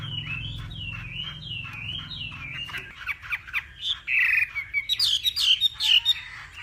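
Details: Hwamei from Vietnam's northwest practising its voice in a morning singing contest: a run of repeated rising-falling whistles, then a faster sequence of sharp, rich notes climbing higher, with a low hum fading after the first seconds.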